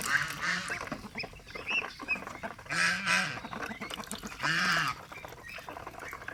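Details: Pet domestic geese kept together with ducks, giving loud, harsh honking calls in bursts about every one to two seconds. Each honk is nasal and arching. Softer chatter and background noise fill the gaps between calls.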